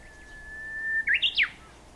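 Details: Japanese bush warbler recorded on 26 May 2019: a long, steady whistled note held nearly a second, then a quick three-part flourish of rising and falling notes, loud and clear over faint background hiss.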